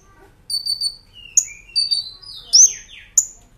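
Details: Brown-throated sunbird singing in a master recording for cage-bird training, 'nembak ngerol' style: a high buzzy trilled note, short downslurs, then sharp piercing upswept whistles spaced under a second apart.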